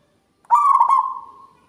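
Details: A local zebra dove singing keenly with a powerful, carrying voice. One phrase begins after near silence: a few quick pulsed coos, then a long, smooth, level note that slowly fades to quiet.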